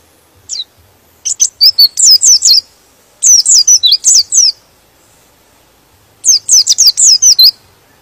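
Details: Singing white-eye whose song is said to make other white-eyes agitated and join in: a lone high note, then three short bursts of quick, high, down-sweeping whistles with quiet gaps between.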